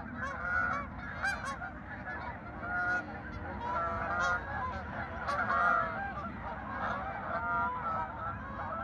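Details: Geese at a farm park, 10 November 2024, giving loud harsh honks and cackling bursts in quick succession, distinct individual calls rising and falling above the murmur of the rest of the flock.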